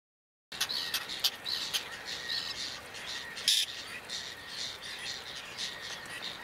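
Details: Whiskered tern recorded in Toledo province, Spain, in June 2022. It gives harsh, rasping, buzzy calls in quick irregular bursts, with a louder grating call near the middle and a steady hiss of outdoor background noise.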